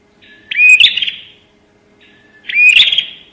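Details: Bar-winged prinia giving two harsh, buzzy, high-pitched bursts about two seconds apart, each a sharp rattling snap, against a quiet background.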